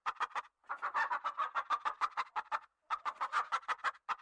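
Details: Continuous, hurried chicken clucking: harsh, nasal notes packed closely together, broken by two brief pauses, loud and dominant throughout.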